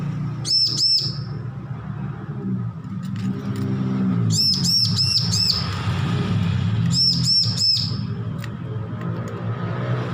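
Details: Recently weaned young bar-winged prinia practising song, with three bursts of two to four high arched chirps spread across the recording over a loud low rumbling background.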